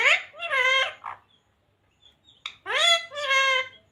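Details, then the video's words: Green talking parrot that says 'radhe radhe', 'mithu beta' and 'sita ram'; two pairs of quick, reedy, word-like syllables separated by a second of near silence and a faint click. "Talking parrot radhe radhe 🦜 mithu beta 😍 sita ram 🥰 Bolne wala tota"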